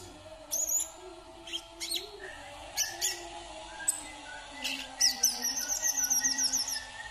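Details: Brown-throated sunbird from Kalimantan, Indonesia, singing: high, thin chirps and sharp notes, ending in a rapid twittering trill, with a low hum and faint background sounds beneath.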